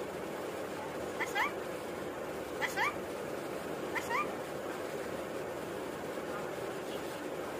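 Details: A talking rainbow lorikeet repeats the word "Kiki", a short, rising, two-part word, three times about a second and a half apart, over a steady background hiss.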